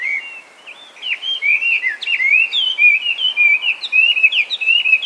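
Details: Invasive Chinese hwamei, wild in Japan after release from captivity, singing: a soft start, then increasingly loud varied whistles with sharp upsweeps and downslurs in a rapid jumbled series.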